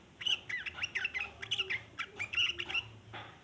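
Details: Long chattering from a sooty-headed bulbul, meant as a lure for untamed bulbuls; a quick, busy run of bright, squeaky chirps packed tightly together, ending in a short hoarse note.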